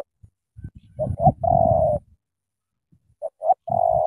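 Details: Thổ tơ style cooing from a loud-voiced Spotted dove from Cà Mau: two short coos lead into a long vibrating coo. The phrase repeats after a pause, over faint low thumps and rustling.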